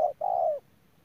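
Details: Ground decoy spotted dove from Đức Cơ, 17/11/2018. One short low note is followed by a long, smooth coo that falls slightly at its end, over a quiet background.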